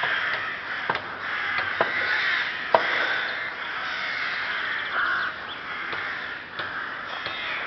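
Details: Rooks in Chrudim's Ptačí ostrovy nature monument, Pardubice Region, Czech Republic, on 30 May 2011, producing a thick wall of grating caws, punctuated by several sharp knocks or clicks and one brief clearer note.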